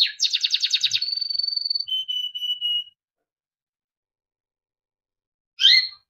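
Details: Timbrado canary singing for training: a fast rolling trill, a smooth level whistle, three lower steady whistled notes, then silence before one sharp chirp.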